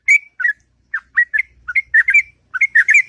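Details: Sooty-headed bulbul in the morning delivering its long, melodious ngropel song: clear bubbling whistles in quick bursts, some slurred downward, others upward, separated by short gaps.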